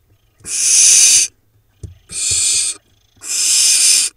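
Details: Barn owl chicks preening together in a nest in Israel's Hula Valley, 7 July 2021: three steady, evenly spaced hissing screeches of nearly a second each, separated by short quiet gaps and a single soft thump.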